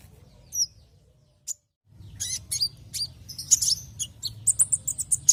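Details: Kolibri ninja sunbird song used as a lure: a few isolated high chirps, a short pause, then a lively run of rapid high tweets and thin whistles growing denser toward the end.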